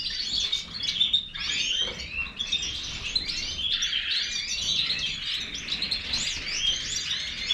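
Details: Goldfinch, Major form, pouring out a fast twittering song of thin high notes, sliding whistles and buzzy rattles, briefly quieter near the second second.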